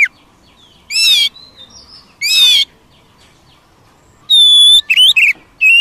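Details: Wild Oriental magpie-robin gives two harsh, buzzy bursts about a second apart, followed after a pause by a pure high whistle and a quick scratchy note cluster.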